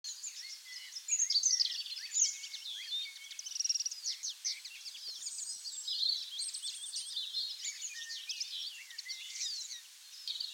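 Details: Common linnet singing in a UK woodland in the South West: a fast, continuous twittering of high chirps, trills and short whistled notes, rising and falling with no pauses, over a faint hiss of background noise.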